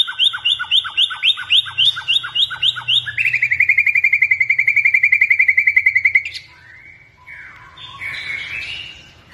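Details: A white-rumped shama (Copsychus malabaricus) of the blorok type sings loud, rising whistled notes about three a second, then a fast ringing trill, trailing into softer mixed chirps.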